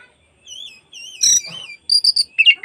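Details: Oriental magpie-robin afternoon song to stir other magpie-robins into singing with tails spread: wavering whistles, a harsh noisy burst, then a quick run of high sharp chips and buzzy notes.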